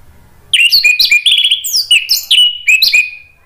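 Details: Orange-headed thrush song played to prompt another bird to answer and sing: a rapid string of bright whistled notes with sliding slurs and sharp high accents, continuous for three seconds.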